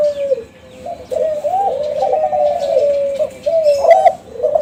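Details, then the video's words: Kelantan zebra dove youngsters of a champion contest line, caged birds, singing to draw replies from other doves; an almost unbroken rolling, bubbling coo with wavering notes and a few brief higher chirps near the end. "SUARA DERKUKU KELANTAN TRAH JUARA PANCINGAN"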